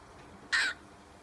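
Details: A baby cockatiel gives a single loud, harsh, scratchy squawk lasting about a quarter second in otherwise quiet surroundings.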